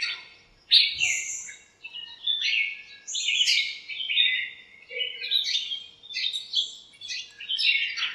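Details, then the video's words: Morning chorus from birds filling a backyard lemon tree, interacting with different chirps; a long run of quick, bright twittering notes, sliding up and down and repeated almost without a break. "chirps at morning | backyard bird sounds"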